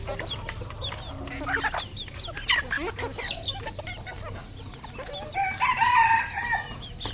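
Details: Scattered clucks and short calls from several fowl, then a red junglefowl's drawn-out harmonic crow near the end, rising and then holding steady for about a second.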